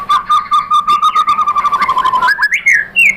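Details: Lure recording of a white-rumped shama: a low, rapidly pulsing whistled trill held for over two seconds, ending in rising clear whistles.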